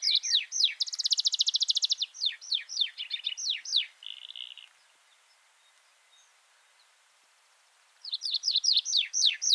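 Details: Tree Pipit singing: a rapid run of high, sharp downslurred notes, a dense buzzy trill, further slurred notes and a short buzz, then about three seconds of silence before another fast series of high notes begins.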